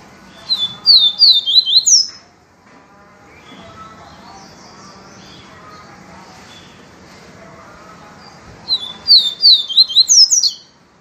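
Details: Yellow-bellied seedeater singing the "viviti" style purely: two bursts of rapid, high, downward-sweeping whistles about seven seconds apart, with soft lower chattering and faint background noise between them.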